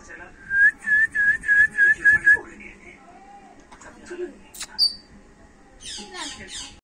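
An African grey parrot gives a quick run of about seven clear, even whistles, then softer mixed notes and a burst of high squeaky chirps.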